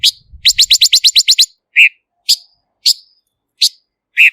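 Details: Silver-eared mesia, a lure recording without background noise: a fast burst of about nine buzzy, high chips, then single sharp notes spaced roughly half a second apart, with a faint low rumble at the start.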